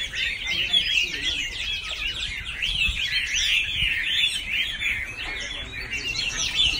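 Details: Chinese hwamei singing loud, looping whistled phrases that rise and fall in quick wavy slurs, an unbroken, varied melodic stream.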